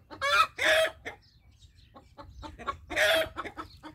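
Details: Rooster sounding an alert, loud harsh squawks in quick succession at the start, a lull of soft clucks, then another strained squawk followed by a flurry of rapid clucks.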